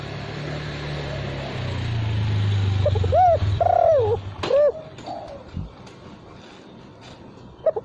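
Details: Spotted dove coos used as a lure, sung without the closing 'kuk': several soft, arched coo notes in quick succession over a low rumbling hum and background noise.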